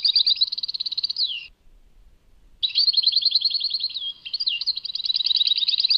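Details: Goldfinch in Tadmait song: a dry buzzing trill sliding down at the end, a short gap, then continuous rippling twitter with swooping slurred notes mixed in. The surroundings are silent.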